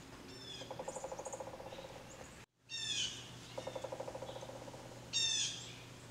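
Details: Blue jay giving harsh, buzzy calls at the start, middle and end, alternating with a rapid, even series of lower clicking pulses lasting over a second; a brief cut to silence midway.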